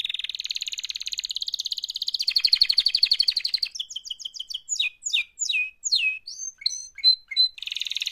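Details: Singing canary making a mating call: a long, fast, pulsing trill that swells in volume, then crisp repeated short notes, loud downward sweeps, whistled snippets, and another rolling trill.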